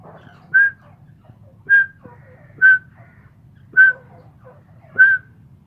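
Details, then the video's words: Caged Iranian teetar (grey francolin) calling in Pakistan: a clear, pure whistled note near the same pitch, repeated about once a second in an even series of five, over a low steady background hum. "Mairay Teetar Ki Awaz"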